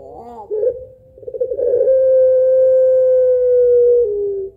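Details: Barbary dove of the pelung type, a laughing long-voiced two-note kuwok song used to lure other birds: a wavering, rolling opening, then one long steady hummed coo held nearly three seconds, dropping slightly at the end.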